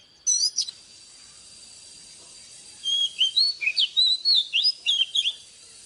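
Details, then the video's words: Oriental magpie-robin, morning song for caged-bird training. After a short high squeak and a pause, a lively string of bright whistled slurs, rising and falling, runs for about three seconds. "เสียงนกกางเขนบ้านหรือนกบินหลาขี้ควายใต้ Choè than Già rừng hót zbuooir sáng cực hay"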